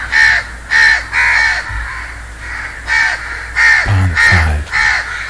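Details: House crow (Corvus splendens) giving a steady run of harsh, nasal caws, about two a second, with a few low thuds in the background.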